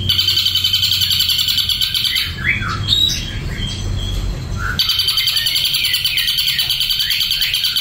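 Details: Ashy drongo song: a harsh, rattling high buzz, then a pause filled with scattered squeaky notes, then the buzzy rattle resumes with faint slurred calls beneath it.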